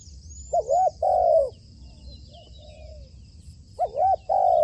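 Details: Spotted dove trained as a decoy for trapping, giving a short coo and a long rolling coo, a quieter pair of soft coos, then the loud paired phrase again, with faint high chirps behind.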